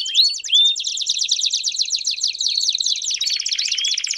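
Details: Canaries singing together to prompt a Belgian canary into song: two bright rising whistles open, followed by a long, dense, high rolling trill with overlapping voices.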